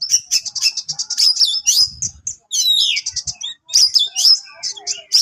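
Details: Oriental magpie-robin (kacer), HC type, singing a sharp song said to rile rival birds; rapid runs of high chirps and slurred whistles with brief pauses, strong buzzy trills, faint low thumps beneath.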